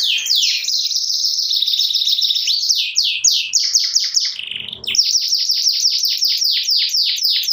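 Canaries sing back and forth in rapid, high trills and repeated downward-sweeping whistles.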